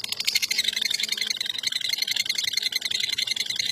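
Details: Champion lovebird, a national first-place winner, delivering its long ngekek song: a dense, rapid chattering trill of high buzzy pulses, continuous and unbroken across the whole stretch, with no other sounds.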